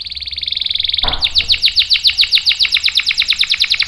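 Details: Canary song used to lure and tutor young and non-singing canaries: a steady high buzzing trill for a second, then a fast roll of bright descending notes repeated about eight times per second, with a faint low hum behind.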